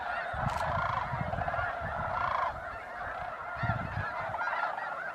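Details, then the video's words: Snow geese calling en masse at Bosque del Apache National Wildlife Refuge, New Mexico, in mid-December at sunset or sunrise; a dense, continuous chorus of high nasal honks with louder individual yelps rising above, plus low rumbling sounds underneath. "Snow Geese Sunset and Sunrise"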